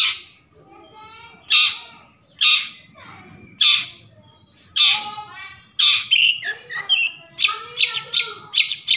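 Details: Long-tailed shrike (cendet) forest song used as a lure to get silent shrikes singing: harsh broadband squawky bursts spaced about a second apart, then a quick run of short scratchy notes near the end.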